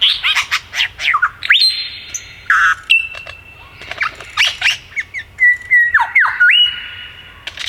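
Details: ["Singing male superb lyrebird, an accomplished mimic, flitting between trees in the Dandenong Ranges in Melbourne's east. Dense noisy squawks and chirps give way to long pure held whistles at several pitches, interrupted by sharp downward sweeps."]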